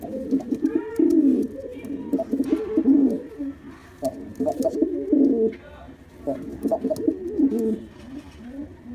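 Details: Male black pigeon showing off with repeated deep, rolling coo phrases, roughly every two seconds, amid light clicks and rustling.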